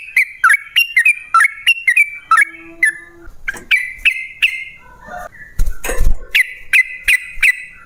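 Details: Yellow-vented bulbul song, used as a decoy to make other bulbuls sing: bouncy repeated whistled notes. Midway, a short low steady tone and a loud thumping, rustling burst break in before the notes resume.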